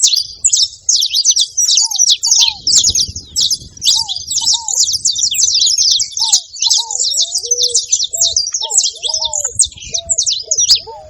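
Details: Continuous rapid chirping from a saffron finch: bright, high, jittery notes crowd together, with short, lower, curved whistles appearing at intervals, becoming more frequent toward the end. Quiet low background noise throughout.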